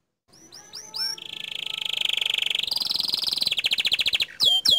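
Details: Green canary of bottle-green colour, song used as a master to excite rival canaries; soft chips lead into a long steady buzzing trill, a higher pulsed trill, then abrupt loud swooping whistles.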